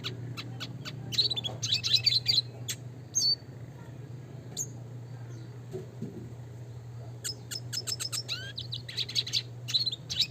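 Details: Twittering song of a classic red siskin, used as training song: clusters of high chirps and buzzy trills in several bursts, separated by quieter gaps, with a low background hum throughout.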